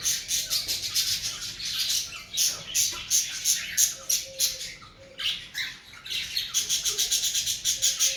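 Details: Cockatiels in breeding season calling in fast repeated rasping squawks, a lull near the middle before the rapid series picks up again, with a faint steady tone underneath.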